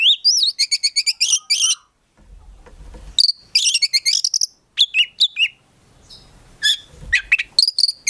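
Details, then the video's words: Oriental magpie-robin (kacer), a collection bird kept as a prospect, in vigorous 'gacor full isian' song: fast trains of sharp high chirps and looping whistles, short pause, then another burst of rapid notes and scattered whistled phrases. "KACER GACOR FULL ISIAN BIKIN KACER APAPUN LANGSUNG NYAUT"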